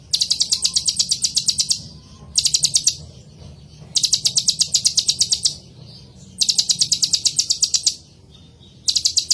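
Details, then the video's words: Copper-throated sunbird (kolibri ninja) singing energetically: fast, very high ticking trills, each lasting one to two seconds, repeated five times with brief gaps, over a low background rumble. "suara Kolibri ninja terbaru ..!!! masalah gacor nilai sendiri"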